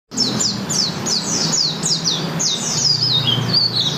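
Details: Malang white-eye (pleci) singing in the morning: rapid series of high, thin descending whistled notes, sharp slurred phrases run together, over a low background hum.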